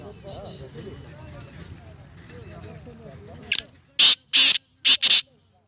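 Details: Black francolin call recorded 19 April 2020. After several seconds of human voices comes a sharp five-note grating series: a brief lead note, then two drawn-out rasping notes and two shorter closing ones.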